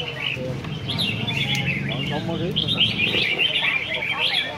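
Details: Red-whiskered bulbul singing at a competition, a continuous stream of bright, rolling warbles and rising chirps, with a low droning background.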